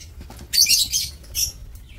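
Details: Lovebirds in a breeding aviary on 2 October 2024 give a dense, loud volley of shrill, buzzy chatter lasting about half a second, then a second shorter screech.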